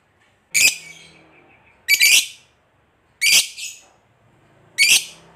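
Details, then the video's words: Lovebird squawks used to prompt other lovebirds to sing: four harsh, shrill, noisy calls spaced more than a second apart, with quiet gaps between. "Pancingan Suara Lovebird Ngekek Panjang"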